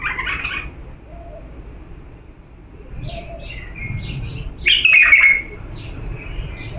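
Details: Diyala bulbul song for teaching chicks: a burst of chirps at the start, scattered soft high notes, then a bright, descending warbled phrase near the end, over steady low hum.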